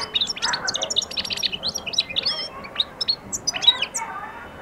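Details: European goldfinch early in its singing and attacking: a rapid, high-pitched twittering stream of clipped chirps and buzzy trills, with a brief pause before further sharp notes.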